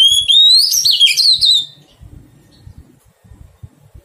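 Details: A wild-caught Oriental magpie-robin in the taming process sings a rich phrase of nearly two seconds: a smooth rising whistle, then fast looping warbles. Quiet tapping follows.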